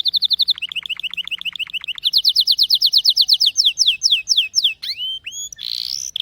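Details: Canary singing: fast, even trills of high notes, first steady, then a run of rapid downward-sweeping whistles, ending in a few rising slurs and a buzzy note; clean, with no other sounds.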